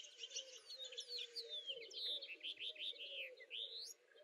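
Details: House finch song: a rapid, warbling run of varied slurred notes, many sweeping down and up, ending on a rising buzzy phrase, with a steady low hum beneath.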